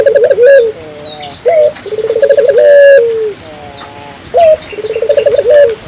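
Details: African collared dove calling actively to prompt other doves to join in: repeated phrases, each a short clear note then a quick trilled roll and a long fading tone, with sparse bird chirps behind.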